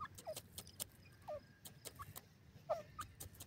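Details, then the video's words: Grey francolin, a local partridge, giving short, faint downward-bending notes roughly once per second, heard among frequent sharp clicks and knocks. "dasi tetar ki awaz,teetar sound,partridge bird awaz"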